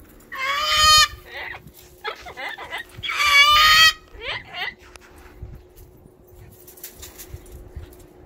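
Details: Pet cockatoo freaking out and screaming, said to be waking the neighbours: two loud, harsh, ringing screams about three seconds apart, with shorter squawky chatter between and after them.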